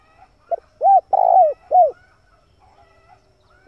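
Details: Male spotted dove giving its lure call for wild doves: a quick opening note, then a burred long coo and a soft falling coo. A faint whistled tone lingers in the background and the phrase restarts at the end.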